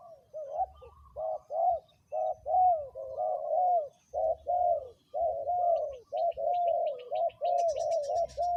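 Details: Spotted dove set out as a ground decoy, third calling round, coos steadily: a long run of loud, mellow two-part coo notes about one per second, with brief high insect-like trills near the end.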